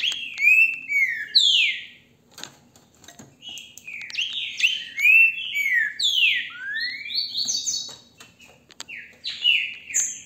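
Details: A captive-bred green-winged saltator in Brazil, recorded on a hand-held phone, sings loud, rich whistled phrases that slur downward in quick bursts with brief pauses, over a faint low hum.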